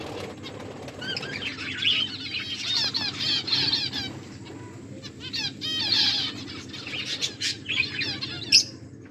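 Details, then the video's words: Pet finches feeding and chirping: rapid series of high, slurred twittering notes in overlapping bursts, several birds calling at once, with a sharp click near the end and a low background hum. "My beautiful finches eating and enjoying finches chirping sounds"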